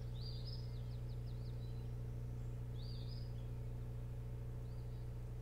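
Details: Osprey at the boat house nest on Hog Island near Bremen, Maine, on 24 June 2018 around 01:38–02:38, gives high, thin whistled chirps in quick runs, three short bursts over a few seconds, above a loud steady low hum.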